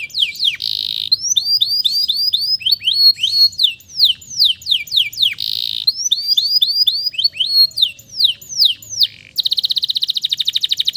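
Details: Male canary in full song, meant to stimulate stressed canaries to sing: varied phrases of high swooping, upslurred and downslurred whistles in quick series, ending in a rapid clicking trill.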